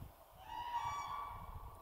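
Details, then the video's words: Common cranes at Karkonosze, Poland, in 2023 as early signs of approaching spring: a loud, rolling trumpet note rich in overtones, held steady for about a second. "to piękne odgłosy żurawi."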